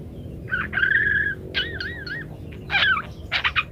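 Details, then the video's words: Parakeet singing varied phrases used as a master recording: a drawn whistled note, a wavering warbled trill, then harsh buzzy chattering bursts, over a faint low hum. "rekaman suara asli burung PARKIT gacor berbagai variasi"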